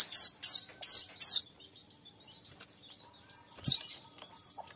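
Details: Recording used to attract weavers: four rapid, harsh high chirps in quick succession, then soft, thin twittering notes and one more sharp chirp near the end.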